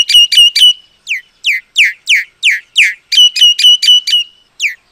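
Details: Common myna giving loud whistled calls: groups of three short clipped notes alternate with separate downslurred whistles, several in steady succession, with a pause between groups.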